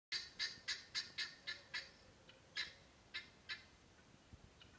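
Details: A guineafowl, having seen something moving towards it, gives a harsh, rapid alarm series of grating chek notes that slows toward the end.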